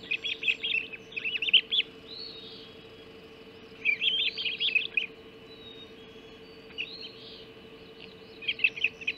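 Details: Mackerel breakfast delivery at the Hog Island osprey nest, 04.50 on 30 June 2016: three bursts of fast, high, chattering chirps separated by quieter gaps, with a low mechanical hum throughout.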